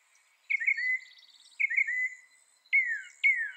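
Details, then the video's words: Slurred, falling whistled phrases from a mockingbird, repeated with short gaps, with a brief soft buzzy rattle after the first phrase; quiet background. "Mocking Bird sound"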